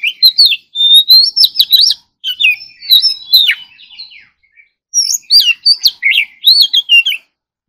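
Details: Competition-style song of an Oriental magpie-robin at morning practice: three loud bursts of varied whistles, chirps and quick trills, each a couple of seconds long, with brief pauses between.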